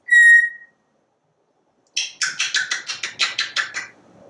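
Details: A talkative porch parrot gives one clean steady whistle, pauses, then lets out a quick run of about a dozen clipped, even chattering notes while it watches squirrels and birds.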